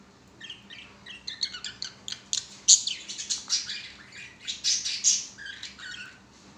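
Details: Happy pet budgies singing while playing on a swing. A lively warbling chatter of rapid, high chirps and scratchy trills runs for about six seconds, the notes tumbling together with louder squeaky peaks, with a faint low hum behind.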